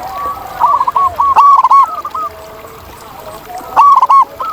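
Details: Zebra doves singing wild in nature, several birds overlapping: rapid chains of short, bubbly cooing notes at slightly different pitches, with a brief clicking rattle between phrases.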